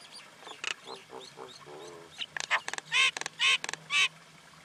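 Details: Common Indian myna: gurgles and a brief trill, then loud, grating, nasal rasps delivered in a short, uneven series.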